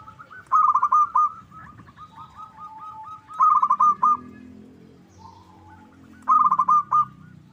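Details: Three loud phrases of crisp, rapid cooing notes from a local zebra dove, the lure sound used to get rivals answering; softer trailing coos fill the gaps, with a low murmur beneath.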